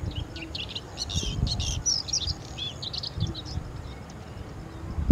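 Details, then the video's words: A rubythroat calling gives a quick run of varied, scratchy chirps and whistled notes over about three seconds, with a steady low rumble of wind or distant traffic beneath. "Rubythroat with Calling"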